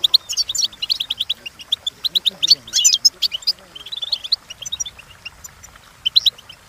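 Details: European goldfinch song from a training recording, a rapid twittering run of short bright notes with trills and chips, pausing briefly then resuming, with faint low murmuring beneath.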